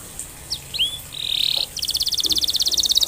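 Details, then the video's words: Canary song fragment meant to get other canaries singing: a few faint chirps, a short buzzy tone, then a quick even trill of high notes about eight per second. "Burung kenari gacor,,, paling jitu untuk pancingan kenari supaya bunyi dan cepat gacor"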